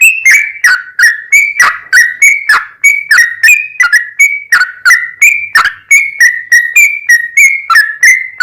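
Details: Yellow-vented bulbul giving a long 'ropel' song used as a lure for other bulbuls: steady stream of loud, fluty slurred whistles, about three per second, alternating higher and lower notes.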